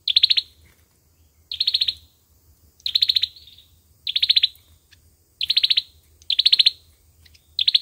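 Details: Olive-backed sunbird fighting song, a lure sound for trapping, with seven bright, high, rattling trills of fast pulses, each under half a second, repeated roughly every second in a quiet setting.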